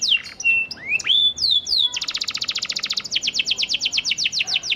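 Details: Panda canary giving a song used to prompt stalled canaries into responding: varied rising and falling whistles open the phrase, then it breaks into a fast, even trill of sharp notes.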